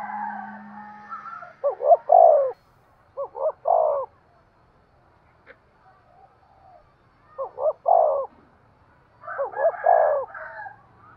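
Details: Urging coos of a spotted dove to stimulate breeding: four phrases, each two or three short hoots and a longer wavering coo, spaced roughly two seconds apart, with faint higher chatter before the first.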